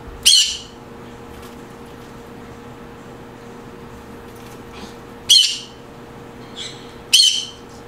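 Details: Green conure sounds, said to create a happy mood: three short, harsh, screechy squawks spaced several seconds apart, with a steady low hum in the background.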